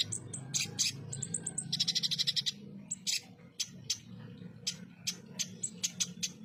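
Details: Ruby-cheeked sunbird, locally konin, singing in the 'full tembakan kasar' style, a rough rapid-burst song used to tutor competition birds: sharp very high chips, then a dense rattling burst, then more staccato notes over a low hum.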